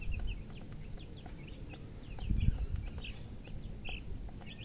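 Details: Baby chicks make brief, high chirps in loose succession, with a couple of louder, fuller peeps near the end, over a strong low background rumble and a soft thump midway.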